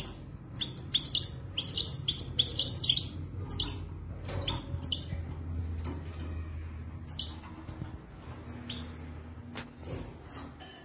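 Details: Moroccan maknin, an authentic European goldfinch, delivering quick clusters of high, tinkling twitters and chirps for the first few seconds, then scattered faint notes over a quiet background hum.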